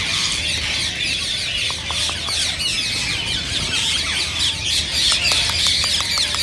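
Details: Rose-ringed parakeets chattering as a flock, calls said to spur other parakeets to sing and mate; continuous shrill screeches with rapid short clicking notes repeated in quick runs.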